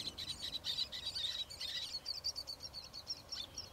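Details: Roseate tern recorded on 27 August 2022, giving a dense run of harsh, high chattering calls in rapid, uneven succession, several overlapping, over faint background noise.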